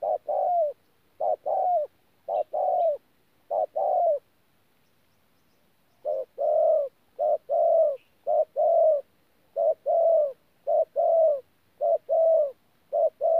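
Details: Thổ-style calling mixed with gù from a wild-caught spotted dove, Tu Mo Rong, 14 January 2019: a run of paired low coos, a two-second pause, then a steady longer series of short-long coo pairs.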